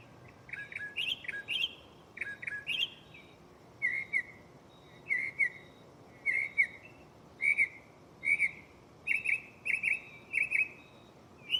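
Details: Mockingbird singing at night from a tree close by, shuffling through its catalog of songs: paired and tripled clear chirped phrases, then a run of single slurred whistles, each repeated about every second.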